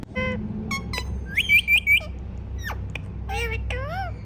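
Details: Rose-ringed parakeet, kept as a pet, talking: nasal word-like syllables mixed with three quick bright rising whistles and a final wavering, swooping note.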